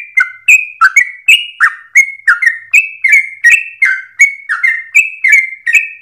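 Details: Rapid, insistent, long-breathed song of a yellow-vented bulbul with simple phrasing for young or untrained birds to learn. Short rich whistled notes alternate up and down in a steady chattering stream across six seconds.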